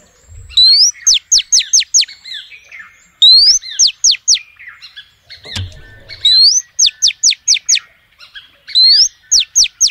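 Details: Female oriental magpie-robin calling males: four bursts, each a rising whistle then four or five sharp, high descending notes in a quick run, separated by short pauses. Occasional soft thumps.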